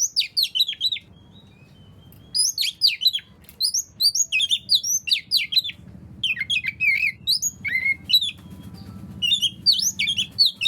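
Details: Oriental magpie-robin song meant to prompt lazy magpie-robins to sing along: bursts of sharp, swooping whistles and quick chirps separated by short pauses, over a faint low hum.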